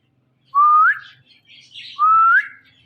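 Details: Talking Indian ringneck parakeet kept indoors: two loud whistled voice-like syllables, each level then sliding upward, about one and a half seconds apart, with soft hissy sounds between.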